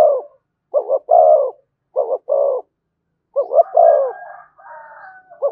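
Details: Spotted dove giving thổ-style coos with thúc and kèm: deep two-part phrases, a stuttered double note then a longer coo, repeated, ending with a blurred overlapping coo and a thin whistle.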